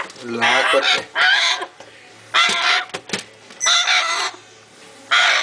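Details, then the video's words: African grey parrot chicks, recorded in Slovenia in 2009, giving harsh, raspy, broadband calls in loud bursts of about half a second to a second, separated by short quieter gaps. "African Grey Beby"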